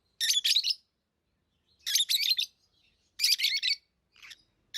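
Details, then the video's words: Lovebirds chirp in three bright, gritty bursts spaced about a second and a half apart, followed by a softer short note and the start of another. "Love birds Sounds | lovebirds chirping sounds"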